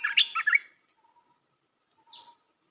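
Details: Red-whiskered bulbul, sung to train young birds: a short, bright phrase of several quick warbled notes, then near silence with one faint high rasping note.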